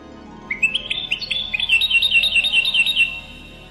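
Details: European goldfinch delivering a continuous rapid twittering phrase of rolling, tinkling notes for about two and a half seconds over a low background hum.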